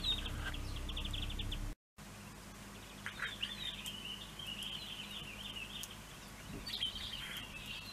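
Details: Pine grosbeak recorded in March at Neljän Tuulen Tupa, Finland: pulsed trill notes, then a longer stretch of warbling, wavering whistles, with a low background hum.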